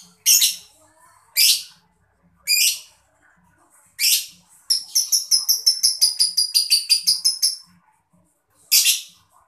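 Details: Mocha lovebird chirping, used to stimulate other birds to sing: single shrill chirps about once a second, then a fast run of about fifteen piercing pulses over three seconds, then another lone chirp.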